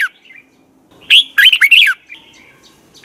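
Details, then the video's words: Red-whiskered bulbul in 2020, singing a morning song of the double twisted voice style for bird training: a single phrase of five or six quick warbled notes, then a softer trailing note. "Luyện chào mào hót sáng 2020, Giọng kép xoắn 6789 Quá hay hót căng lửa, luyện chào mào hót"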